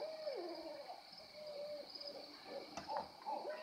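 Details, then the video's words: Multiple owls calling loudly at once; fast, irregular hooting notes, some sliding downward, overlapping in a busy chorus over a constant insect drone, with one brief click. "Owl sighting with my mom! Listen..."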